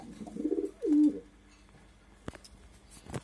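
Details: A pair of domestic pigeons on a rainy day, the female sitting in a pot laying eggs, both calling: low, throaty coos that swell and fade, followed by a couple of sharp knocks.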